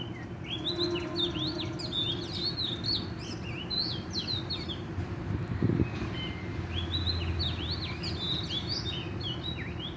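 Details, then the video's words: Oriental magpie-robin in the wild, sought by a trapper, in full vigorous song: rapid bursts of sweet rising and falling whistled phrases, a short pause, then more, against low rumbling background noise. "chích chòe than bổi rừng hót rất sung"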